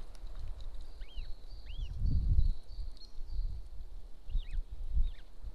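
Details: Golden eagle recorded at its nest in Estonia beside a military training ground, 26 April 2024, early afternoon: a few high arched yelps, two early and a quick cluster near the end, with deep thumping rumbles in between.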